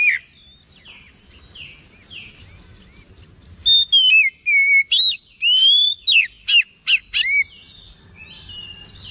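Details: Oriental magpie-robin, agitated and responding, singing a rich burst of clear whistled phrases with rising and falling slurs and sharp notes, after a quiet, faint opening.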